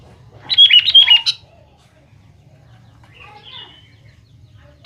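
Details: Sooty-headed bulbul lure song meant to draw a response from young birds: a lively second-long run of warbled, chattering whistles, then fainter notes and a final sharp note after a quiet gap.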